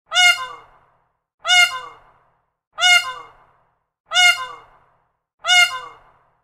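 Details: Single peacock giving a loud, high, nasal wailing squawk, sharply attacked and fading, repeated five times at steady intervals of about one and a half seconds, with silence between.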